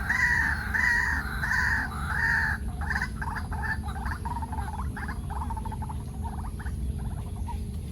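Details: White-breasted waterhen alarm call at a turtle pond in Jurong Lake Gardens, Singapore, raised as a predator nears the nest: three harsh, nasal notes, then a fast run of rattling, stuttered croaks over a steady low rumble.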